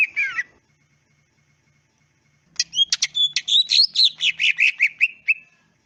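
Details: Greater green leafbird singing in a natural, clear recording meant to make other leafbirds respond: a short whistled slur, two seconds of quiet, then a rapid mixed trill of sharp clicks and chattering whistles.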